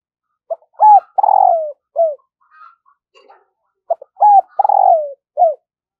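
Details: Decoy spotted dove trained to draw in wild doves, repeating its song twice: clipped note, arched coo, long rough descending croon, short final coo; faint high chirps fill the pause between phrases.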